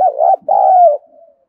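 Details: Spotted dove coo intended to stimulate other doves, a wavering note then a sustained falling note, ending in a soft fading tail.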